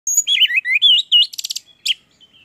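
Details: Orange-headed thrush, a caged songbird in full song: loud rich warbled whistles rising and falling, then a rapid buzzy trill of stacked notes, a sharp high note and a soft trailing whistle.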